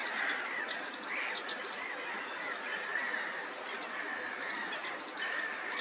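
A sedge warbler's busy chattering song of quick high notes runs over a steady background hiss.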